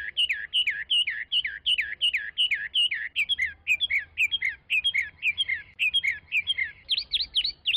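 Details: Continuous Chinese hwamei song: evenly repeated looping whistles, about three per second, shifting partway into more varied doubled notes and ending in higher rising whistles, with a low hum beneath.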